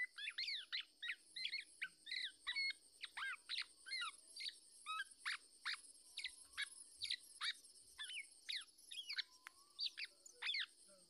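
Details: Black-naped oriole, a parent defending its chick from an attacking male trying to take the young bird; rapid series of sharp, high, slurred whistles and chattering notes, many overlapping, with a steady high hiss behind.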